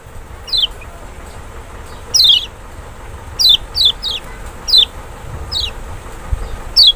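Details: Lemon-bellied white-eye of Lombok or Sumbawa (Zosterops chloris maxi), a sound meant to draw a response from a quiet bird: about eight brisk, high, descending whistles, some in quick pairs, against faint background hiss.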